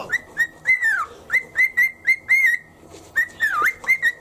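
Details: Morning cockatiel riding a shoulder during toothbrushing, singing loud clear whistles: a steady string of short rising notes at one pitch, a few drawn-out dipping swoops, fairly even beat about three notes per second.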